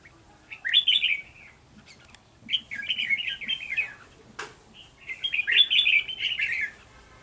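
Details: Red-whiskered bulbul used as a decoy in trapping, recorded 11 November 2018: three bright warbled phrases, each about a second and a half long, separated by short pauses, with one sharp click between them.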